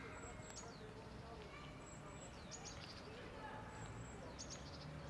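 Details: Grey wagtail at Prule, Ljubljana, on 16 January 2024, giving sharp, high, metallic 'tzit' notes in small clusters every couple of seconds over a steady rushing background of water or traffic.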